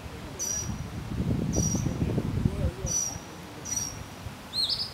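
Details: Northern mockingbird singing on 30 May 2015 at Arlington National Cemetery, Virginia, USA: thin, high, level whistles repeated about every second, set against a low rumble and murmur in the background.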